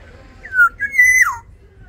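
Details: Big-bodied black-naped oriole of the Sumbawa type singing a clear liquid phrase: a falling whistled note, a pause, then a level sustained whistle that drops away abruptly at the end, in quiet surroundings.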